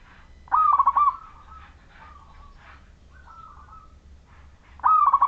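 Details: Clear-voiced Majapahit zebra dove from local wild stock, singing eagerly to prompt other doves to sing; a pulsed cooing phrase, then soft drawn coos, then a second loud pulsed phrase after about four seconds.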